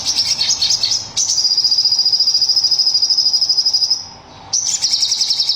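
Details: Crested jay (sogon) giving its 'tembakan' (shooting) song: a fast, even, metallic rattle of high pulses, sustained for about three seconds, breaking off briefly and then resuming, with an insect-like hiss in the background.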